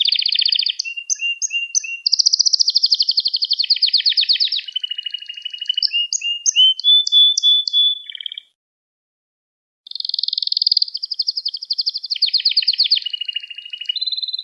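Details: Long canary song passage for training young canaries: varied rolling trills, clipped whistles and a steady tone blend into a continuous phrase, a pause of over a second, then another buzzy trill sequence.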